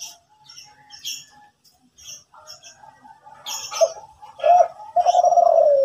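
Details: Morning song of a Kelantan-style zebra dove in full voice: scattered faint high chirps and soft notes build into loud, rolling, trilled coos that run together at the end.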